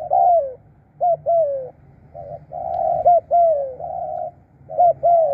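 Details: Low, mellow coos from a decoy spotted dove in Thailand, clipped lead notes followed by long downward-sliding coos, some flat sustained coos between them, repeated roughly every second.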